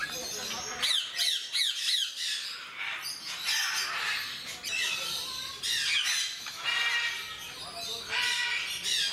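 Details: Timneh grey parrots, described as skilled mimics, kept at Mysore Zoo. Harsh, grating squawks and short whistled upslurs come in bursts. Some notes have a chattering, speech-like quality. Loud, overlapping calls continue almost without pause.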